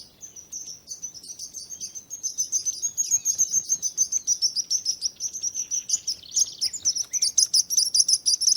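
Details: Chirping birds in a soothing nature recording: softer high chirps at first, building into a louder, rapid chorus of overlapping tweets toward the end.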